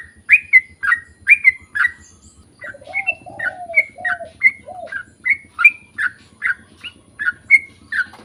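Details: Sooty-headed bulbul used as a lure to get others singing: clusters of bright chirped notes at a steady pace, with a soft low cooing phrase in the middle.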